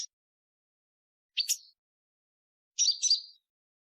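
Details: Two separate slurred, buzzy high chirps from a Purple-throated sunbird, about a second and a half apart, with silence between them.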